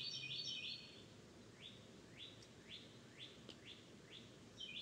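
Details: Wild birds singing in Florida: a brief high warbled phrase, then a run of about seven short rising slurred notes, roughly two per second, over soft steady background hiss.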